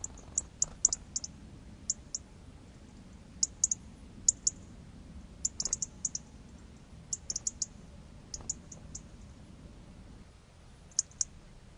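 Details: European robin gives sharp, high ticking calls, singly and in quick clusters of two to four, irregularly spaced over a faint low hum, meaning "I'm a robin and I'm here, no other robin come near me."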